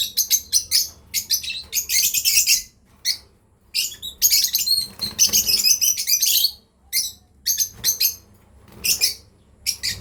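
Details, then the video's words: Lovebirds, a breeding pair, chatter with rapid shrill chirps, some clustered into continuous scratchy runs lasting a second or more, others single and spaced. "Lovebirds chirping sound"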